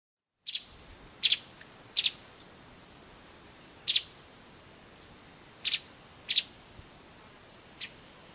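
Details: Streaked spiderhunter in Kaeng Krachan National Park, Thailand, gives sharp, high chipping notes, often doubled, at irregular intervals of one to two seconds over a steady shrill insect drone.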